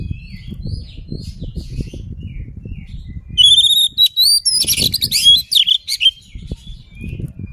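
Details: Oriental magpie-robin provoking song: faint scattered chirps over steady low rumbling noise, then after three seconds a loud burst of rapid, high, repeated whistled notes and buzzy trills before quieting.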